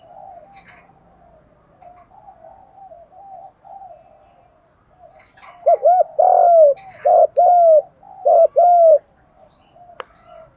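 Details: Spotted dove decoy used in trapping, 'giọng thổ pha' voice: soft, low murmuring coos at first, then a loud run of paired hoots, each a quick curved note and a longer steady one, ending in a faint click.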